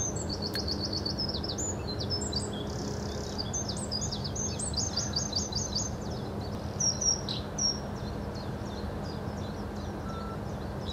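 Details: Bluethroat song recorded at Hobokense polder, 21 March 2012: high, rapid series of repeated ticking notes alternating with buzzy and varied phrases, several bursts in sequence, with a constant low hum underneath.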